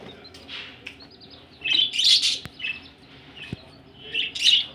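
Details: A budgerigar chatter of buzzy, squeaky warbles comes in loud bursts around two seconds and again near the end, separated by softer chirps, from budgies ready for laying eggs.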